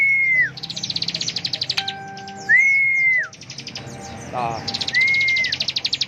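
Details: Bar-winged prinia in ngebren song: fast high trills interleaved with three arched whistled notes, with a faint steady tone and a brief low rattle in the middle.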